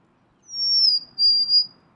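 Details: A single golden-crowned sparrow phrase: a high whistle gliding downward, then a steady lower whistled note split by a short break, over a faint low hum.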